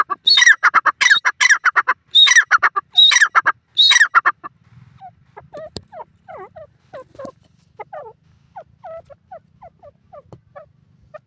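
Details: Francolin calling in a forest: about four seconds of loud, harsh, grating bursts in quick clusters, then a run of soft, scattered clucking notes that fade on a quiet background.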